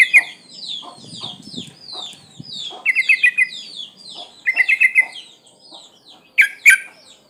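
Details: Sooty-headed bulbul female in breeding condition calling males, a lure call: rapid bubbly rattling bursts of four to five notes, sharp accented notes near the end, with softer chirps and rustling underneath.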